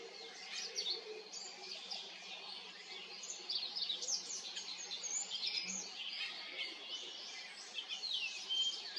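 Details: Olive-backed pipit singing at Haenam, with a fast, continuous stream of thin, high chirps and trills that rise and fall, almost unbroken over nine seconds above a soft low background hum.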